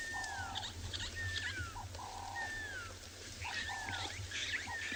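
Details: At sunset on a 23 June 2020 African safari drive near elephants, a pearl-spotted owlet, which often calls at this time of day, gives loud, piercing, downward-sliding whistles about one each second, with shorter flat notes from another bird and a low engine rumble.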